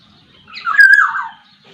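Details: Black-naped oriole from Sumbawa, a bird in full voice with many song variations, giving one loud, harsh, nasal call that slurs downward over about three-quarters of a second against a quiet background.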